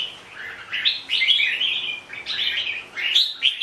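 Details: Red-whiskered bulbul singing two rich warbling phrases of slurred whistles, rising then dropping, separated by a short break.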